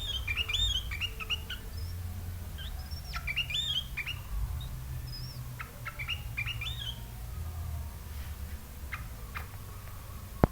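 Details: Tame caged sooty-headed bulbul, a privately kept pet, giving a burst of quick chirps and whistled notes that sweep up and down, then scattered clicks and taps over a low hum.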